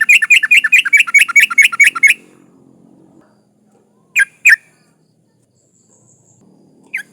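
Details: Female sooty-headed bulbul in breeding condition calling males, used as a lure for rivals: a fast, even series of about fifteen sharp chirps over two seconds, then isolated single notes. Low background hum.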